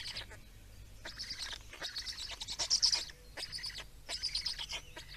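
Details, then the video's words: Black storks feeding in Estonia on 17 May 2019 make harsh, hissing high calls in clusters about half a second long, separated by brief gaps, the loudest near the middle. "Estonian Black Storks - Feeding"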